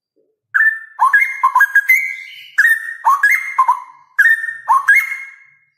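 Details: Male straw-headed bulbul, a bird kept as a pet and for contests, singing loud, clear whistled phrases: three bursts of rich liquid notes stepping between low and higher pitches, each phrase ending in a long sustained whistle that fades out.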